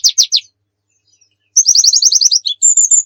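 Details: Oriental white-eye in gacor song used as tutor material: three quick bright notes, a silent pause, then a rapid rhythmic twitter series ending in a higher, steadier whistled trill.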